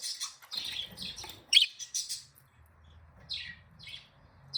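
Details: Happy, playing budgies calling in short bright chirps and warbled notes, high-pitched and spaced out in quick bursts, with occasional sharper squeaks and a low faint hum underneath.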